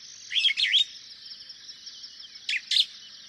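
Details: Superb starling uttering paired groups of quick squeaky chirps, one near the start and another about two seconds later, over a steady high insect buzz.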